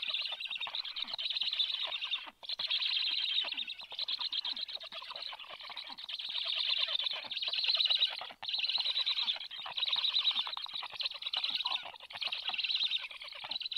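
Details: Black stork family at the nest on 21 July 2022, as an adult brings an early breakfast: a continuous high, wheezy, rapidly pulsing chatter that runs almost unbroken, with two brief pauses.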